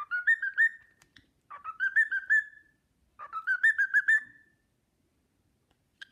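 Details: Cockatiel kept as a pet whistles the Sportpalast Waltz at length, admired by another bird; three bursts of pulsing, stepwise-rising whistled notes, each run lasting about a second, separated by short silences.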